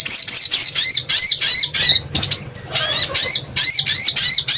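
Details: Crimson sunbird, locally sogon or sogok ontong, recorded as a lure sound: rapid bursts of sharp, high, bent chirps, each burst a quick run of notes with short gaps, about three bursts a second, over a faint low hum.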